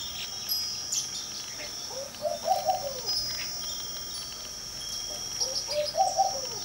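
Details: Laughing Dove perched in a garden porch in the early morning, giving two soft bubbling coo phrases of several notes that rise and then fall. The phrases come about three and a half seconds apart over a steady high insect-like hum.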